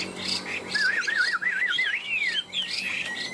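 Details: Two caged Chinese hwamei, kept tame for three years, sing in a duel; a loud, rapidly wavering whistled trill rolls up and down, followed by rising slurred whistles and brief pauses, with faint indoor hum beneath.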